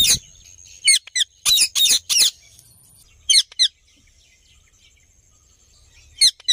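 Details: Indian ringneck parrot giving happy calls: loud, harsh, rapidly repeated chattering squawks in quick bursts of two to five, with short pauses between groups and a faint steady high whine in the background.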